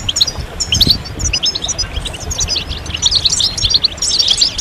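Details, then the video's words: European goldfinches singing as a group to prompt moulting males to sing; includes mating calls. Clear rising chirps and rapid twitters, growing busier toward the end, with light low background noise. "ستستة وبتبتة جماعية للحسون فعالة في تحفيز الحسون على الخروج من غيار الريش بسرعة"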